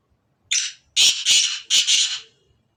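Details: Black francolin, a Sindhi black partridge, giving a harsh, grating call: one short rasping note, then a run of three loud buzzy bursts, the last one drawn out.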